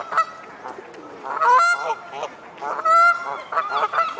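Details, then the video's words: Two pairs of Great Crested Grebes disputing a territory border at the corner of the Serpentine island. Grating, reedy honks arrive in loud bursts roughly every second or two, with fainter calls between them. "Great Crested Grebes having a territorial faceoff"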